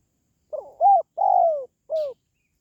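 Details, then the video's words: Spotted dove call for pet doves or for luring wild birds: a phrase of four low, hollow coos, the third long and downslurred, with a brief faint high chirp over the final note. "SUARA PANGGILAN BURUNG TERKUKUR"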